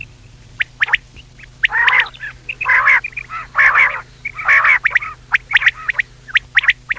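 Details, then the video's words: Common quail (batair) calls played for hunting, at night: sharp clicking pik notes in pairs and triplets mixed with longer nasal, harmonic-rich calls, roughly one per second, over a steady low hum. "quail voice for hunting | Batair ki awaz Raat | common quail voice"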